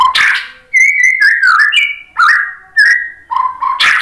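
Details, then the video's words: White-rumped shama song for provoking a reply from other birds: rich, slurred whistles rising and falling in close sequence, framed by harsh scratchy bursts at start and end. "KICAUAN MURAI BATU bikin NYAUT jadi GACOR NGEPLONG BONGKAR MATERI ISIAN ¦ PANCINGAN MURAI"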